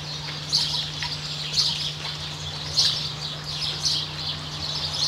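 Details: A Variable oystercatcher accompanied by its chick, New Zealand, gives shrill high pips spaced roughly a second apart, each short and bright, with a constant low hum underneath.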